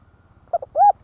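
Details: Brief hạp bổi phrase from a spotted dove in kích bổi style: two short coos, then a single long arched coo, mellow and low-pitched.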